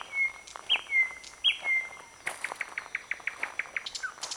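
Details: In a flowering bird cherry on 21 May 2009, a thrush nightingale sings loud, pure whistled notes, two drawn-out phrases, then switches to a fast, evenly pulsed run of sharp clicking notes.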